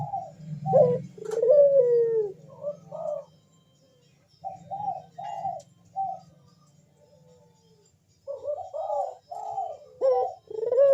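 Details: Collared dove (puter) in loud bekur style, used as a lure to make other doves sing: deep mid-pitched coos in short bursts and longer falling notes, with a low steady hum underneath and gaps of silence between phrases.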